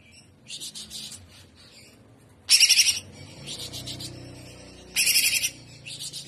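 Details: Greater green leafbird delivering trotolan-style song: short explosive bursts of fast, high, rattling notes, each under a second, broken by quieter chatter, with a low background hum.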